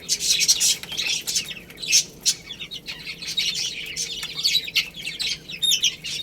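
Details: Shrill, rapid peeping from many chicks as they eat rice and play, the chorus swelling and fading with some clear downslurred single notes on top.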